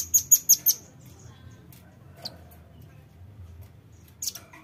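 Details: Lure sound of a velvet-fronted nuthatch: four shrill, high chips in quick succession open the recording, followed by near silence with one or two isolated sharp notes and a low background hum.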